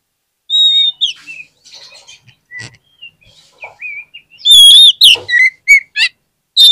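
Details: Lure song of an Oriental magpie-robin to get reluctant birds singing: scattered soft whistled notes, then a loud run of sharp whistles and quick chips, varied and rapid.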